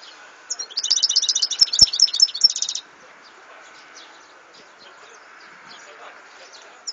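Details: European goldfinch song recorded in 2014: a dense two-second stream of rapid metallic twittering trills, then fainter twitters and a low steady hum in the background.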